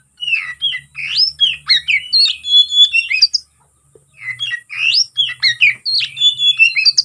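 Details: Oriental magpie-robin (kacer) singing a full, varied fighting song meant to provoke rivals: rapid whistled and chattering phrases with sweeping notes, a brief pause near the middle, then more loud varied phrases.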